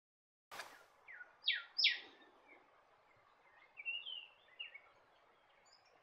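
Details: Norfolk Island golden whistler, a subspecies of the golden whistler, on Norfolk Island: after a sharp click, short downslurred whistles, then two loud high notes sliding downward, followed by softer scattered chirps over a steady background hiss.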